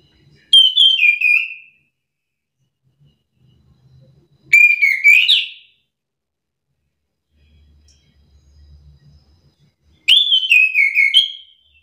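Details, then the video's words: Orange-headed thrush, a captive bird provoked into answering another singing bird; three loud whistled phrases, each about a second long, sliding and warbling downward, spaced several seconds apart with quiet gaps. "Hitungan detik anis kembang malas bunyi langsung emosi ikut bunyi sahut sahutan"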